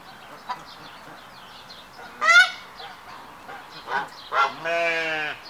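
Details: Hybrid Canada geese in a courtship triumph ceremony, the male displaying before the female. Scattered nasal honks build to one strong honk, then a sustained, tonal, drawn-out call closes the sequence.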